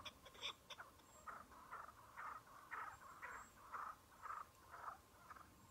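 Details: Chukar partridge in early spring among snow patches, a lone wild bird met with a decoy during a hunt; a few sharp clicks, then steady throaty chuck notes repeated about twice per second.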